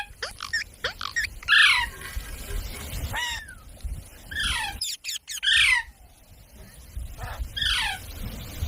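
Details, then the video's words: Parrot giving a series of short, sharp squawks and falling chirps, spaced irregularly over several seconds, with a low background hum beneath. "Parrot Sound Videos | Parrot Sounds | Parrot Video | Talking Videos Compilation"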